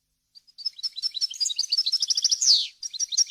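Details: Goldfinch song for tutoring young birds and hybrids: soft opening notes build into a dense run of tinkling chirps, a loud descending buzz, then more quick twittering.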